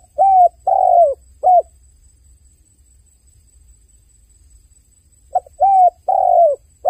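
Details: Dove giving its crying call: three loud, low, hooting coos, a long silence with only a soft hum, then another burst of three arched coos, the last one longer and fuller.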